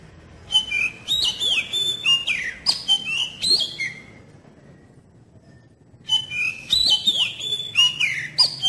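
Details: Magpie-robin (kacer) song used as a lure for young birds: rich whistled phrases with downward slides and clicks, then about two seconds of near silence, then another energetic burst.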